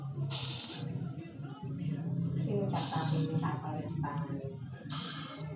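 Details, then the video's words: Scops owl, locally known as celepuk or ceguk: two harsh, high hissing bursts at start and end, with faint voices and low hum between them. "Suara burung hantu celepuk/ceguk"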